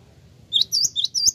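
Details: Java sparrow lure call meant to prompt replies: four high, slurred chirps in quick succession, each bending upward, over a faint low hum.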